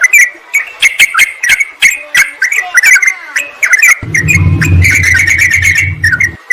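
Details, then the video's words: Sooty-headed bulbul lure recording, a noisy mix made to call a rival and draw wild birds from forest and gardens: busy, chattering, slurred notes in rapid bursts, with sharp clicks throughout and a low hum in the last seconds. "Trucukan memanggil lawan"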